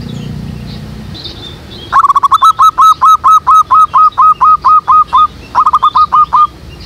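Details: Zebra dove lure call for trapping doves in a backyard jackfruit tree. After a quiet start, a long run of about fifteen steady, evenly spaced cooing notes, roughly two per second, then a shorter faster burst.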